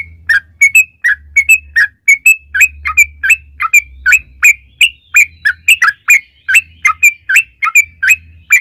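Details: Yellow-vented bulbul calling in a lure recording to prompt other bulbuls to sing: continuous chirpy, slurred notes in uneven clusters over nearly nine seconds, with an intermittent low hum.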